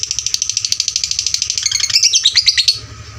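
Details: Loud lovebird chatter meant for training fighter lovebirds: fast, rattling high notes repeated about three times a second, breaking into squeakier, whistled twitters before fading out.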